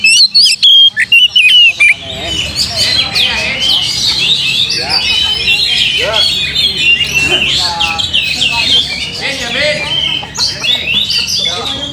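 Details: Oriental magpie-robin, used as a lure to provoke singing. Two seconds of crisp whistled notes are followed by a long stretch of busy, overlapping chirps and trills.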